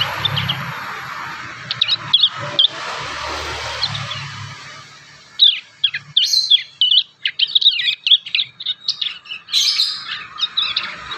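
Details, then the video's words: Young wild prinias still piecing together their song: after a noisy start, a run of high, sharp chirps and short twittering notes, irregular and uneven, with rural background hiss. "MASTERAN PRENJAK PAUD ALAMI"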